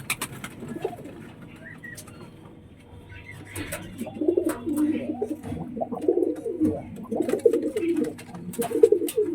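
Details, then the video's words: Domestic pigeon gives low, throaty rolling coos in bursts while chasing other pigeons away from a newcomer it will quickly pair with; owner expects them to lay eggs soon. "দেখেছো কেমন ডাকছে? এ ঢুকেছে দেখে এদের বার করে দেবে, আর এ খুব তাড়াতাড়ি এর সাথে জোড়া নিয়ে নেবে।"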